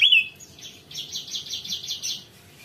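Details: Javan tesia in full voice: one sharp high whistled note, then a rapid, evenly pulsed high trill of about ten beats lasting over a second.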